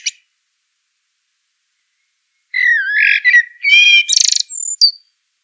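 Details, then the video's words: Song of a Eurasian blackbird: a low, mellow warbled phrase that rises into thin, high, strained squeaky notes and a final piping whistle, after a quiet gap. "Eurasian Blackbird Call Song Sound"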